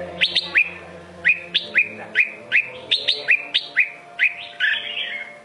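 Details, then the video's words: Red-whiskered bulbul of the Sông Kôn song style singing loud, clear whistled phrases with sharp upslurred notes, about ten bursts in quick succession, over a faint steady low hum. "Chào mào sông kôn hót cực hay cực đẹp"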